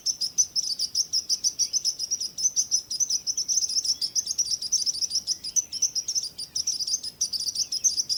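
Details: Several small birds chirping steadily, a dense run of rapid high-pitched tweets repeated several times a second without pause, layered with faint higher twitters.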